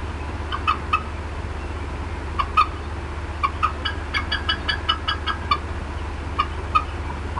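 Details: Agitated female bald eagle at the Decorah North nest, 18 April 2016, late afternoon: scattered short clucking notes in small bursts separated by gaps, over a continuous low hum.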